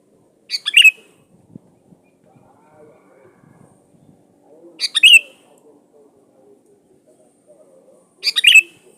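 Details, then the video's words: Vigorous song of a sooty-headed bulbul used to call in rivals: three short bright phrases of chirps and a ringing whistle, widely spaced several seconds apart, with faint low murmurs in between. "DI JAMIN NYAUT DI PANCING SUARA BURUNG KUTILANG GACOR SATU INI AMPUH BUAT SUARA PANCINGAN"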